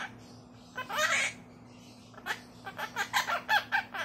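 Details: Monk parakeet, a pet named 乖乖 that mimics its family's everyday speech and tone (乖乖, 你好, 過來) and says its own name most: a raspy, nasal longer phrase, then six or seven quick clipped syllables over a low hum.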